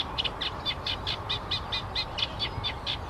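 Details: Eurasian reed warbler singing: a quick run of sharp, chattering notes repeated about every fifth of a second, steady and rhythmic, with a low background hum throughout.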